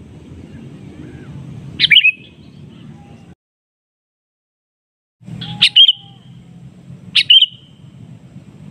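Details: Sooty-headed bulbul calling out a rival in an answering exchange, real voice used as a stimulant. Three loud, abrupt chirped bursts, the last two about one and a half seconds apart, with a brief gap of silence and low rumbling noise.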